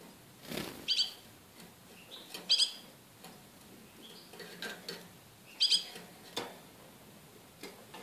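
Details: Young goldfinch × canary hybrids, hatched 21 February 2013 and being song-trained with a special CD, give short, bright twittering notes in quick bursts, with their mother feeding them.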